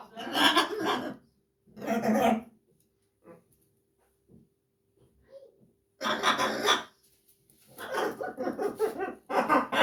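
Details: Blue-and-yellow macaw talking and laughing: several loud, raspy, voice-like bursts with chuckling, laughter-like runs in the second half, separated by quiet pauses with faint clicks.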